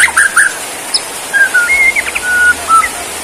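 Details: Bowing-style Borneo white-rumped shama singing sparse, clean whistles, a few short chirps followed by drawn-out level notes separated by brief pauses, against a faint hiss.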